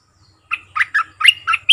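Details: Bulbul call played as a lure for trapping aggressive wild birds: a quick run of about six bubbly, chattering notes, each with rising and falling inflections, delivered within just over a second, with a faint low hum underneath.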